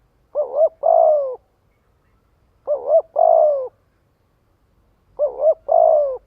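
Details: Cooing spotted dove calling to attract and gather other doves: three evenly spaced phrases about two and a half seconds apart, each a bouncy double note followed by a sustained, gently descending coo, no other sounds.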